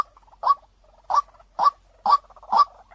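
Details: White-breasted waterhen calling as a clear-toned lure for attracting birds: five strong, abrupt notes about half a second apart, with soft stuttering murmurs running between them.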